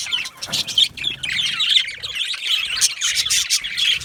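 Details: Several yellow male budgies keep up continuous warbling chatter, a mix of quick chirps, trills and thin squeaky notes layered over one another without pause.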